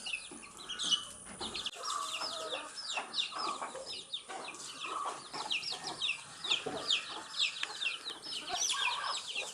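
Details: A group of baby chicks eating earthworms, chirping continuously in a dense chorus of short high downslurred peeps, with a lower steady hum and some rustling behind.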